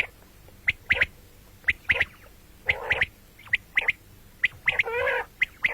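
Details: Calls of the common quail, morning and night: crisp high notes repeated in short clusters roughly every second, with one longer wavering buzzy phrase near the end.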